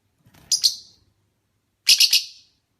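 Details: Lovebird of the opaline parblue colour form, giving two short bursts of shrill, high chirps, each made of two to three rapid notes, separated by a pause of over a second in an otherwise quiet room.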